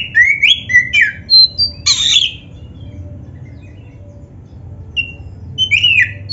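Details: Oriental magpie-robin, black-breasted, singing a varied master song meant to train birds: fast rising whistles and a harsh raspy burst, then a pause and a few more whistled notes.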